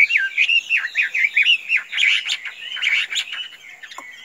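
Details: A very tame Chinese hwamei sings a fast, varied run of loud whistled and slurred phrases, rising and falling in quick succession, with a few harsher notes near the end.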